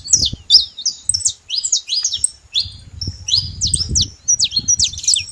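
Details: Saffron finch in the wild giving short phrases of high, slurred chirps and flat whistled notes separated by brief gaps, with some low rumbling noise beneath.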